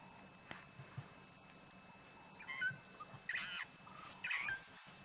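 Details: A Burchell's starling sings from a tree in the late afternoon near sunset in the African bush, giving bursts of chattering, gurgling notes near three and four seconds, over insect hum and faint voices.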